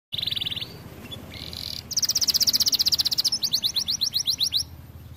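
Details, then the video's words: Canary singing actively: a steady whistled note held for about half a second, a second brief whistle, then a fast buzzy trill and a run of high descending sweeps repeated about four per second. "Kenari gacor cocok"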